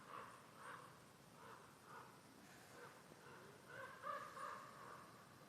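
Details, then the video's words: Common Ravens from a family nesting nearby, heard but unseen at an off-grid Norwegian homestead in autumn (September–October), give a fast string of hoarse croaks, about three a second, ending in a louder cluster, over faint outdoor noise. "so the Ravens are with us you can hear them but I don't think it's possible to see them at the camera here"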